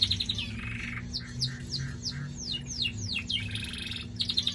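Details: Pet canary, a male, singing: buzzy rattling trills and a run of descending swept notes, about three a second, with steady low hum throughout.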